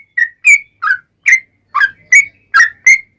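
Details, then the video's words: Yellow-vented bulbul singing vigorously in a long 'ropel' run, used to coax other bulbuls into replying: eight separate chirpy whistles, alternately higher and lower, spaced by short gaps over three seconds. "SUARA trucukan gacor ROPEL PANJANG pancingan trucukan agar bunyi JADIKAN burung trucuk gacor NYAUT"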